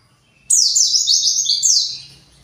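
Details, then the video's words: Agitated white-eye hunting for its flock: one sustained run of thin, high twittering notes, zigzagging up and down quickly for nearly two seconds before fading. "PLECI pasti emosi"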